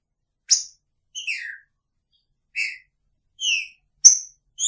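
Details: Green-winged Saltator singing picharro in a cage shared with its female: quick series of whistled and slurred notes, one sharp high note opening, others dropping in pitch, nearly two per second.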